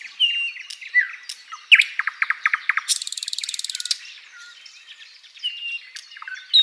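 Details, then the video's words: Flycatcher song on a tutor recording for cage birds: slurred whistles and chirps, a series of quick, clipped notes, then a long, fine, high rattle, followed by quieter scattered twitters. "SIKATAN LONDO || MASTERAN BURUNG"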